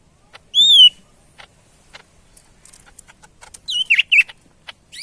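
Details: Medan greater green leafbird in energetic song: one clear downslurred whistle, a quiet stretch of soft ticks, then a quick cluster of loud twisting whistled notes.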